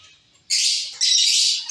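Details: Caged zebra finch colony: two loud, harsh, nasal calls, each about half a second long, one right after the other after a quiet start.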